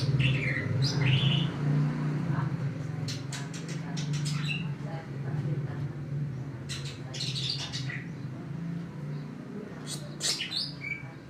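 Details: Greater green leafbird scolding as the sky suddenly turned cloudy: sharp chirps, short rising whistles and harsh clicking notes in scattered bursts over a steady low hum.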